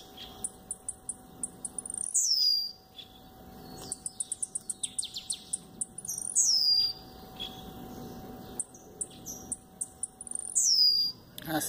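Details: A captive Double-collared seedeater named Chacal sings three times while fluttering and facing the camera, roughly every four seconds: quick high chips and trills ending in a thin, falling whistle, over a faint steady hum.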